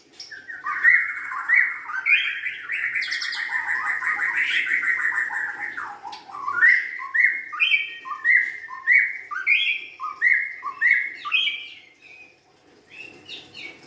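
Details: A young forest-caught White-rumped shama pours out a long continuous song, first a sustained warbling ramble of buzzy and whistled notes, then quick repeated rising whistled phrases, ending in a brief pause and one final note; low hum behind.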